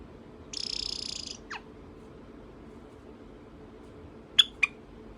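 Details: Two grown captive Java sparrow siblings threatening each other and showing off: a harsh, buzzy rasp lasting under a second, then a quick falling note and, after a pause, two sharp clicking chips.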